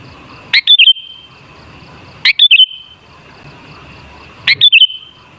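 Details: Sooty-headed bulbul lure song to make bulbuls sing: three short bubbly whistled phrases about two seconds apart, each a sharp note followed by two to three quick liquid notes.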